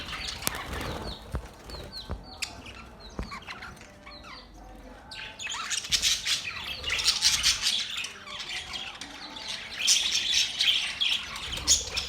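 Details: Budgerigars chirping and chattering together in what is described as mating sounds; the first seconds are quieter with scattered clicks, then dense high scratchy warbles and squawks build from about six seconds onward.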